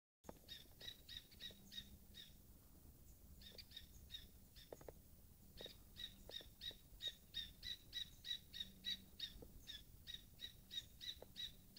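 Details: Corsican nuthatch (Sitta whiteheadi) at Col de Sorba, Corsica, 28 July 2011, calls: a fast series of short, high, slightly nasal notes, about three per second, in brief bursts, with a faint low hum behind.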